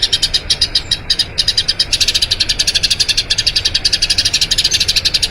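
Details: Eurasian tree sparrow in a long roll, a song meant for training other birds: a few spaced chirps at first, then a quick, even string of sharp, high notes that keeps going.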